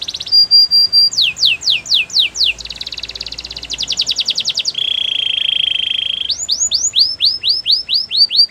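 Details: Canary training song played to coach other canaries to sing: a sharp whistled note, then fast series of rising sweeps, a buzzy rolling trill, a steady low rattle, and more repeated upward swoops, loud and clear.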